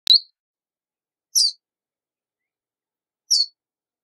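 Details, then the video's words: Verdin giving three short, sharp, high chips, each about a fifth of a second long and spaced over a second apart, in an otherwise silent background. "Verdin Song! Verdin Call! Verdin Singing! Voice! - Baloncito Verdín Canto - Auriparus Flaviceps"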